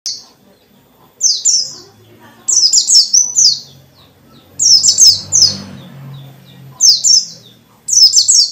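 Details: White-eye of the dakun type singing intensely in forest style, meant to provoke other white-eyes into singing. Bursts of two to four high, downslurred whistled notes come in clusters separated by short silences.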